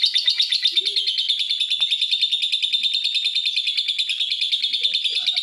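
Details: Lovebird call meant to provoke other lovebirds into calling, heard as an unbroken, high, buzzy chatter of fast pulses, roughly three a second, steady in pitch throughout, with a couple of soft low chirps in the background.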